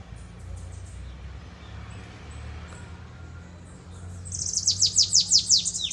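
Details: Bananaquit (sibite) singing in the 'belga corrido' style with a distinctive 'pitiu' phrase: after several seconds of faint background hum, a fast, very high burst of about eight descending, sharp, repeated notes closes the recording.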